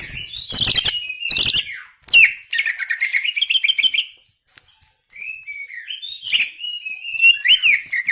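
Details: Greater green leafbird in strong gacor song: loud warbling phrases, then a long fast stuttering trill, a short pause, and flowing slurred whistles that rise and fall.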